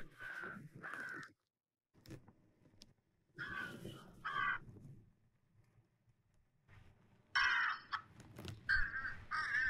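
Fish crow giving nasal, hoarse caws, mostly in quick pairs, in three bursts a few seconds apart, over faint room noise.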